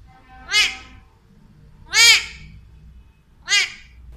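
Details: Alexandrine parakeet, a talking parrot said to speak Urdu and Hindi, gives three loud, harsh, rasping calls about one and a half seconds apart, each a short arched burst, with a quiet low background hum between them.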